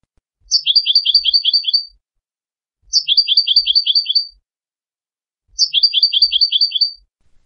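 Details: European goldfinch singing three matching short phrases of quick, high chirping notes, roughly one phrase every two and a half seconds, separated by silence, with faint low thumps beneath.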